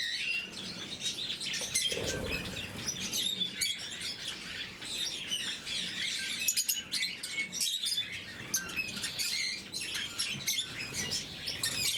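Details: During morning feeding, caged blue-mutation lovebirds keep up a long, busy stream of sharp high squeaks and twitters, with occasional soft thumps and rustling beneath.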